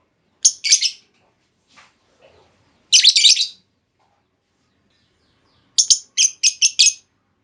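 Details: Female lovebird call meant to provoke long trilling from other lovebirds: a harsh, dense high chirp burst near the start and a longer one in the middle, then a closing series of five evenly spaced shrill chirps.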